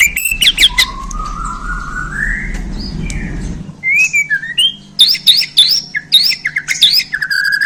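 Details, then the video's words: Murai Borneo (white-rumped shama), recently taken in hand, singing: a drawn-out rising whistle, then crisp up-slurred notes repeated several times and a final level whistle, with a faint low hum behind. "Murai Borneo Ini Langsung Kasih Isian Pedas!"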